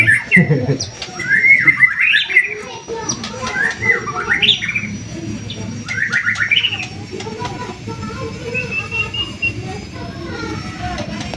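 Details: White-rumped shama in gacoran singing style, used as bait to provoke other birds to sing: loud, varied whistled phrases, rising and falling, with harsh squawky notes and rapid chatter, over a steady low rumbling background.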